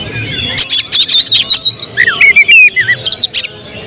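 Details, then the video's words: Kacer, the oriental magpie-robin, a bird with contest prospects. It runs clipped staccato notes into a descending twisting whistle sequence, repeated rhythmically, over low background rumble. "Emosi berubah menjadi tembakan di menit menit genting, Kacer bakalan prospek lomba"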